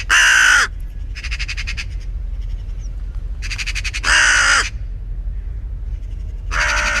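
A common raven gives three harsh, drawn-out croaks spaced a few seconds apart. Fainter rattling chatter, like a magpie's, sounds between them.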